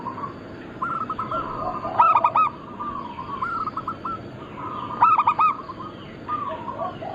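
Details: Many local zebra doves of a Bangkok-cross line calling together, a recording meant for luring and training birds. Mellow rolling coo phrases with two loud bursts of rapid stuttered notes about three seconds apart, over overlapping distant cooing and hiss.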